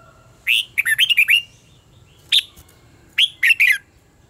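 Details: Red-whiskered bulbul contest singing used to train birds: three phrases of loud, chirpy whistled notes, a run of six, a single note, then a run of three, each note sliding downward.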